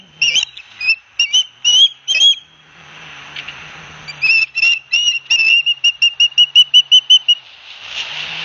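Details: Osprey chicks at a nest cam in Barnegat Light, New Jersey, 9 September 2021, as their father brings fish: sharp whistled chirps, first in short bursts, then a fast even run of notes near the end.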